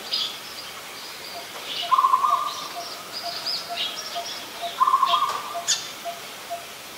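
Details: Adult zebra dove in Ubon Ratchathani, Thailand, 28 December 2020: two bursts of fast, stuttering trilled coos, about three seconds apart, over a background of high chirps from other birds.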